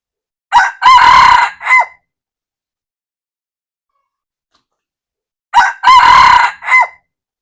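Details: Two full crows from a red junglefowl on 1 February 2024, about five seconds apart. Each is loud and hoarse, with a short first note, a prolonged harsh middle and a brief downward-bending last note.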